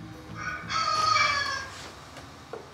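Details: Rooster crowing early in the morning on Oléron island, France, recorded on DVD and certified by a bailiff as court evidence in a neighbours' noise complaint; one loud harmonic crow, swelling then fading over about a second, over faint background noise.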